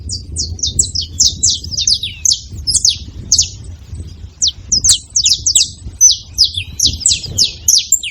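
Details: Wild saffron finches noisily visiting a feeding spot: continuous jumble of high, sharp, downward-sliding chirps from several birds overlapping, with low background rumble.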